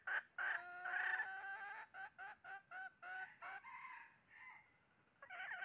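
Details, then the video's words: Red junglefowl heard during a trapping session, 20 January 2023: a loud opening call, then a rapid run of short clipped clucking notes, fading before a final rough note. "bẫy gà rừng mới nhất 20/01/2023 cuab qaib qus tuaj zoo heev"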